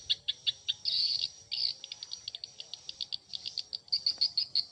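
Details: Swiftlet calls: rapid series of short high clicking chirps repeated several times a second, with denser twittering bursts, in an echoing space.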